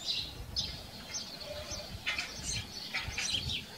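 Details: House sparrows living at a farm, giving a busy series of short, bright chirps that overlap and tumble together, with faint low rumbling underneath.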